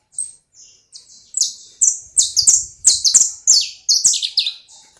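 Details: Domestic canary, described as a canário do reino, singing a rapid, varied run of high bright notes and short trills, the phrases growing louder and denser after the first second, with faint low thumps beneath.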